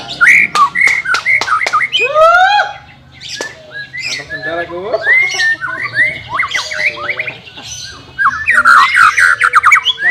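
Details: White-rumped shama, in training for a bird that is reluctant to sing, pours out a dense, varied song of sharp clicks, sweeping whistles and buzzy chatter, almost without pause, dipping quieter briefly midway.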